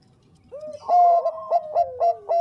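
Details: Lure recording of a lively Bangkok zebra dove: a soft rising note opens, then loud clear coos pulse in a steady beat over a long, gently falling tone.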